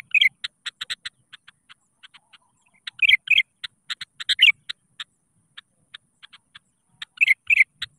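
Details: Sooty-headed bulbul lure call for rivals: rapid runs of sharp clicking ticks interspersed with short warbled chirp bursts, the ticks coming several per second between louder phrases.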